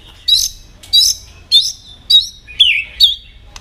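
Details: White-rumped shama in competitive song: six separate high, bright chirping phrases, each a sharp whistled burst, spaced roughly every half second with short quiet gaps.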